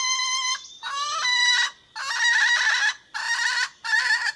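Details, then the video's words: Red junglefowl hen calling to a rooster, a call said to draw wild birds in to respond: five loud, nasal, harmonic-rich calls of about half a second to a second each, separated by brief silent gaps. "Suab poj qaib qus ke seev ke qua tuaj zoo heev / tiếng gà mái gọi trống siêu chuẩn"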